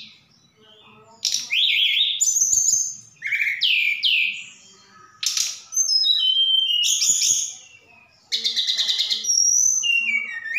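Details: Actively singing Javan bush lark sent from Sukabumi, Indonesia, its song filled with imitations of cililin and sikatan londo: loud bursts of downslurred whistles, buzzy notes and quick chattering trills separated by short pauses.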